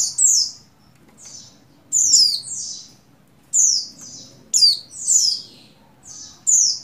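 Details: A breeding-condition female Oriental white-eye of the buxtoni form calling to the male with sharp, high, downslurred chirps in pairs and short clusters roughly every second or two, with quieter softer notes between, over low hum.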